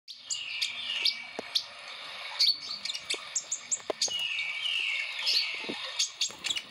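Plain prinia giving two long, wheezy, buzzy trills that slide slightly downward, each lasting over a second, mixed with sharp dry snapping clicks.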